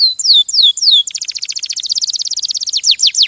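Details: Canary song: three loud descending whistled slurs, then a fast dry trill of rapid notes that slows into sweeping downward notes near the end.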